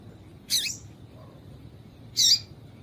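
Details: A female yellow-bellied seedeater, whose call is used to stir up males, gives two brief, high, buzzy chips about a second and a half apart over a quiet background.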